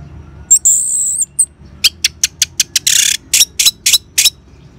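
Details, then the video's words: Orange-headed thrush ngeban song used to prompt caged birds into singing: a long, steady high whistle, then a quick series of sharp clicks and ticks with a brief burst of harsh hissing, ending in more crisp chirps. "Suara Ngeban Untuk Pancingan ANIS MERAH Jitu Membuat Burung Gacor"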